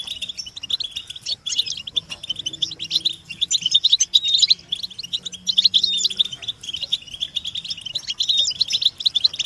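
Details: European goldfinch chorus of mating and readiness calls for motivating caged males to sing: fast, jingling high twitter with liquid chirps and short buzzy trills, several birds overlapping.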